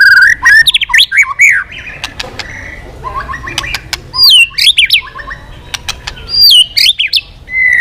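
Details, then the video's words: White-rumped shama, described as a once-silent bird singing eagerly again, delivers loud, varied whistled phrases with rising and falling notes, sharp clicks and rapid trills, separated by short pauses. "Keganasan murai batu diam jadi rajin bunyi kembali"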